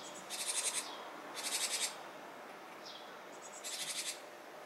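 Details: A Japanese tit near fledging time, seemingly fretful or hesitant, gives three harsh, buzzy, high-pitched bursts, each about half a second long and roughly a second apart, over a soft background hiss.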